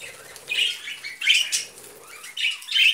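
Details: Budgerigars eating vegetables give a few separate high chirps and short scratchy squawks, spaced by quiet gaps of about half a second.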